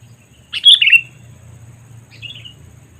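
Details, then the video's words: Sooty-headed bulbul lure call used to attract wild birds: a loud two-part chirp, a bright note followed by a slurred falling one, then a fainter echoing phrase about a second and a half later, with low hum beneath. "Suara Panggilan Kutilang Memanggil Burung Liar ‼️ Pikat Kutilang Cengkram"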